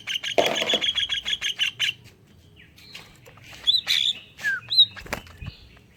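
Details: Greater green leafbird singing with kingfisher-style filler, used as a lure to make other leafbirds sing. It opens with a rapid rattling trill, then breaks into scattered sharp whistles and downward-slurred notes.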